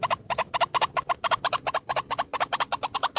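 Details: Rapid, croaking double notes of a single white-breasted waterhen lure call, pulsing several times a second with strong harmonics over a low background hum.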